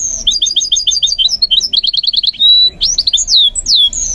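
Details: Loud, close goldfinch mule singing during training: a string of quick repeated chirps, then a held whistle and swooping slurred notes, crisp and high.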